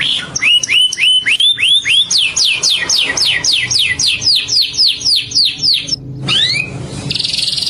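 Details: Green Indian ringneck (rose-ringed parakeet), a talking pet parrot, gives a rapid run of about fifteen shrill, curving whistled notes, roughly two each second, ending in a brief squawk and a hiss.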